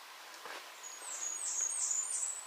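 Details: Blackburnian Warbler singing a quick series of four very high, thin, sibilant upslurred notes at the top edge of hearing, with faint outdoor background, on a humid 75-degree day on the Appalachian Trail in forest under the tree line, nearing Maine.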